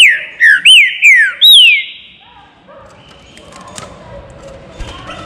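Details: Green-winged saltator kept in an aviary, singing four loud, clear whistled phrases, each a slurred note that sweeps up and then down, given in quick succession over about two seconds. Only faint background noise follows.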